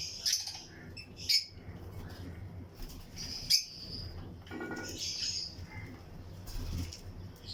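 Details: Lovebirds of the lutino colour in a colony breeding aviary chirp with sharp high notes and short clicks spaced a second or two apart, over a soft rumble and other birds nearby.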